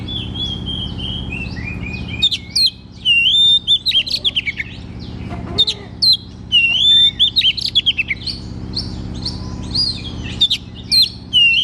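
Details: White-rumped shama, caged, used to prompt a non-singing shama: a long, continuous run of bright whistled and slurred notes mixed with sharp chirps, high-pitched and varied, above a faint low hum.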